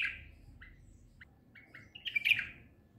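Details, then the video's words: White-eared bulbul visiting a window, singing short, bubbly chirped notes in a few quick phrases that build to a louder, rich warbled burst near the end. "White Eared Bulbul Song"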